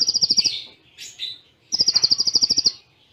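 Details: Kolibri ninja 'tembakan cililin' song with close pauses, a tutor song. A quick bright trill opens, then brief buzzy notes, then a second long run of about fifteen rapid, evenly spaced high beads.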